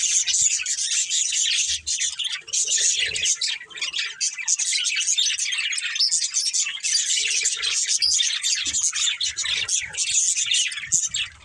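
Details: Several pet budgerigars chirping together as a family, a dense continuous chatter of bright, buzzy warbles and short tweets with brief pauses, with faint low thumps now and then.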